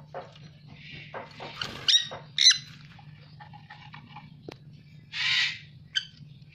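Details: Dusky-headed conure, a species called very rare in Indonesia; a few harsh, scratchy squawks and short squeaks come at irregular intervals, one longer rasping screech near the end, all over a steady low electrical hum.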